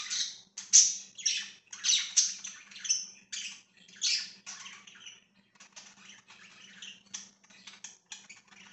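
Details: Budgerigars kept as pets chatter in quick raspy chirps and short squawks, loud at first and fading to softer scattered ticks, over a low constant hum.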